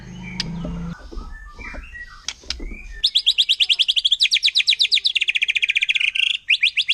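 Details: Forest-dwelling wild white-rumped shama's provoking rapid-fire song: a few faint clicks and short whistles open, then dense rattling runs of fast repeated high notes, shifting pitch slightly between bursts.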